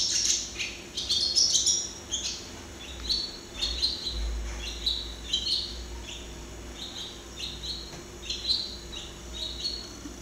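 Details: Hirundo rustica, the barn swallow, singing at close range: a long, fast twittering run of high chirps and brief trills, dense at first, then steadier and evenly spaced, with faint low rumble beneath.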